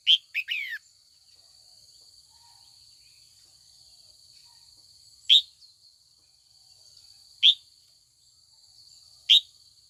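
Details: Female red-whiskered bulbul, trained to call old wild males into singing contests, heard in the afternoon: a quick burst of three chirps, then three single rising chirps roughly two seconds apart over a continuous high whine.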